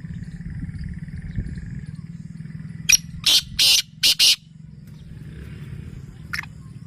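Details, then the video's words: A black francolin gives one harsh, grating phrase: a sharp lead note, then three quick rasping notes, followed by a single short note, with a low continuous hum underneath. "kala tetar ki awaz"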